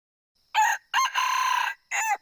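A male red junglefowl gives one short, hoarse crow in three clipped parts: a brief opening note, a long buzzy middle and an abrupt final note.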